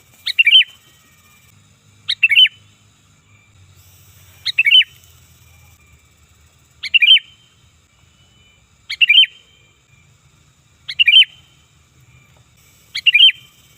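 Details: Sooty-headed bulbul calling loudly, used for luring: short, bright phrases of a sharp high note and a warbling drop, repeated steadily about every two seconds, seven times, with faint low background hum.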